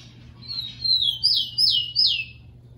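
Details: Rufous-collared sparrow, known in Brazil as tico-tico, singing for training captive birds: soft sliding whistles rise into three bright, repeated downward-swooping notes, each about 0.4 seconds apart, with a steady low hum beneath.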